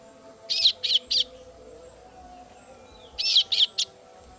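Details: Female kasu-kasu chick calling for its parent: two bursts of three harsh, high chirps, about a quarter-second apart, with a steady low hum beneath.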